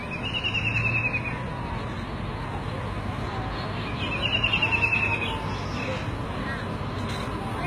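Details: Two shrill, fast, downward-sliding rattling trills from a White-throated kingfisher (Halcyon smyrnensis), separated by about three seconds, heard against continuous low-pitched background noise.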